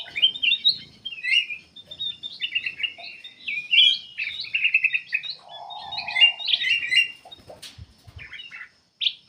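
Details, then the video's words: Continuous song of a black-capped bulbul, recorded to lure other birds into singing. Dense twittering and rattled trills with sharp chirps, a low buzzy hum midway and a brief silence near the end. "KUTILANG EMAS \ CUCAK EMAS GACOR FULL GACOR sangat bagus buat pancingan \ pikat"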